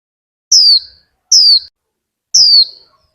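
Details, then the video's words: Vietnamese caged female Warbling white-eye stimulating a male to sing: three clear, high-pitched chirps that slide downward, spaced about a second apart. "Khuyên mái kích thích chim trống líu!"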